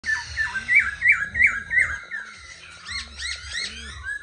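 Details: Tame caged black laughingthrush singing and dancing on a table, giving a run of about six loud, slurred, downward-bending notes repeated roughly every third of a second, then fainter upswept chirps, over a low background hum.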